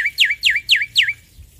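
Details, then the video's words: Four loud sweeping whistles from a male black-winged myna, each dropping steeply then flattening, delivered about every quarter second in a clean, bright series. "Masteran Jalak Putih Jantan Gacor Suara Keras"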